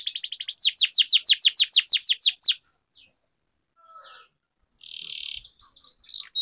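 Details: Canary singing a rolling training song meant to spur lazy canaries into singing: a fast run of steep down-slurred whistled notes lasting two and a half seconds, then near silence with faint chirps and a short buzzy trill.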